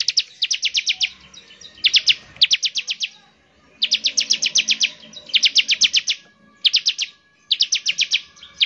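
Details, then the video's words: Bar-winged prinia song meant to make other birds sing: dense rattling trills of high chirps, about four notes per second, in bursts of one to two seconds separated by short pauses. "CIBLEK GACOR, NEMBAK NGEBREN UNTUK MEMANGGIL CIBLEK CEPAT BUNYI GACOR"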